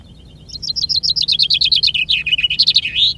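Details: A chaffinch at a finch-singing contest in Ardooie sings one full strophe: a bright, rattling run of notes tumbling down in pitch, ending in a quick emphatic flourish, all within about three seconds.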